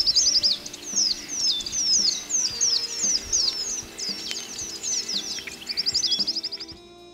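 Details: A Southern Whiteface, sex unknown but likely a male singing from the top of a shrub perch in dry open Australian woodland, sings quick, high, tinkling downward-swooping notes, several a second, ending in a fast even trill.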